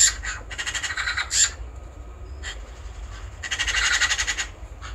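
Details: Eurasian magpie: harsh, rattling chatter in rapid pulsed bursts, about four per second, with a pause mid-clip before a longer rattling run, over steady low background rumble.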